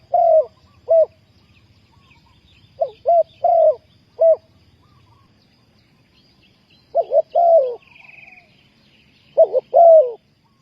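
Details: Spotted dove calling to lure wild doves into a trap. Its four-part cooing phrase repeats several times: short notes, then a drawn-out falling coo. A brief higher buzzy note sounds near the end, over faint low hum.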